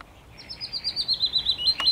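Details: Willow warbler singing on 17 May 2021: a rapid series of clear, sweet whistled notes, about eight per second, sliding gradually lower in pitch over a second and a half, ending near a sharp click.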